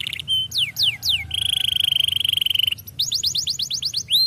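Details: Lively canary singing, with descending whistled slurs, a long even buzzy trill, then a run of rapid sweeping notes.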